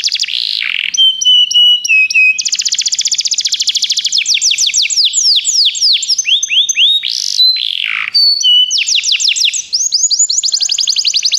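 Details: Begie canaries singing at length for song training: long varied song of level whistles, fast pulsed trills, swooping slurs and broad bursts, changing tour every couple of seconds, with no other sounds.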